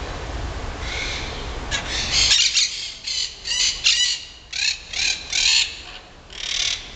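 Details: Feral emerald-green parakeets in Rome, breaking off twigs with their beaks to build tree nests, give harsh, grating squawks in short bursts about every half second, with a low rumble of wind or traffic at the start.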